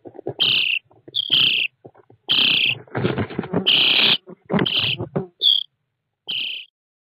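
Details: Nestling common starlings in a nest box, 29 June 2017, captured by an IP camera inside the birdhouse: bursts of harsh, rasping hisses come irregularly, some overlapping, mixed with loud rustling and knocking, then fading to a few short rasps.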